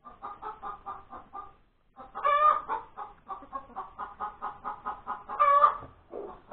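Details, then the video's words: Hen after laying an egg, breakfast time on January 31, 2021: evenly paced clucks, a short silence, then two loud harmonic squawks, each followed by a fast train of clucks. A lower grunt-like note ends the sequence. "the crowing of the hen that lays the egg"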